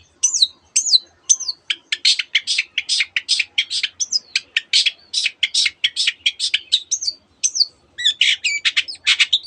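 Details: Long-tailed shrike singing a canary-filled mimicry medley: a few slurred high whistles, then a long steady series of sharp scratchy notes, closing with a burst of varied chirps.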